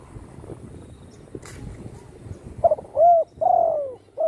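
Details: Spotted dove kept at home, recovered after its wing was broken by a shot, singing well. After a couple of seconds of background rustle, a series of mellow, low coos follows in quick succession.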